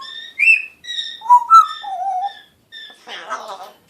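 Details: African grey parrot, a one-year-old male just starting to talk in March 2017, producing speech-like whistled syllables: clear tonal notes stepping up and down, a brief pause, then a raspy breathy phrase.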